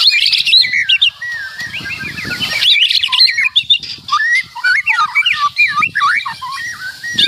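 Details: White-rumped shama singing loudly with a rich, full-filled song: quick jumbled chirps, then wavy whistled phrases sweeping up and down, delivered in rapid bursts with brief gaps.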